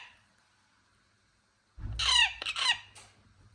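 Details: Parrot chick giving a pair of harsh, raspy screeches that sweep downward, each under half a second, after a quiet start, with a low thump underneath.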